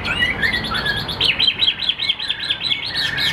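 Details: Caged Chinese hwamei singing a fast, lively phrase of repeated looping whistled notes, about a dozen rising-and-falling slurs in quick succession, bright and clear, with faint low background rumble.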